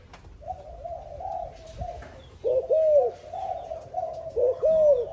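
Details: Spotted dove, a newly caught bird cooing with an older decoy bird; soft flat murmured coos at first, then two loud arched double coos in the second half.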